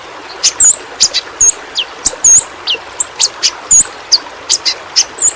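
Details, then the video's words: Song-training recording of the yellow-rumped flowerpecker, endemic to Kalimantan: dry ticking clicks mixed with short, very high curling whistles and a few downward-slurred notes, spaced about every half second. "Burung Pentis Pelangi Masteran Bagus Untuk Burung Figther"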